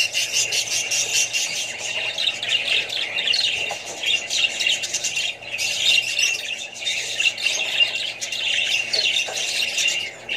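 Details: Australian budgerigars with other parrots and young birds: steady, many-voiced squawking and chirping at high pitch, briefly easing around the middle before swelling again.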